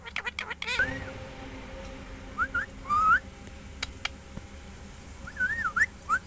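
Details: Parrot whistling: short, looping, melodic whistles that rise and dip, given in small groups with pauses, after a few quick clicks at the start, against a faint constant background hum.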